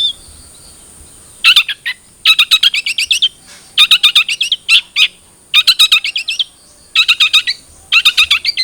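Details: Long-tailed shrike song used as a lure so a captive bird begins singing: rapid chattering trills in bursts of about half a second, repeated roughly every second with short silent gaps, high-pitched and scratchy.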